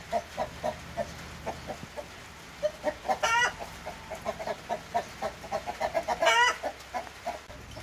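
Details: Splash Wyandotte breeding hens clucking busily in short repeated notes, broken by two loud, drawn-out squawks.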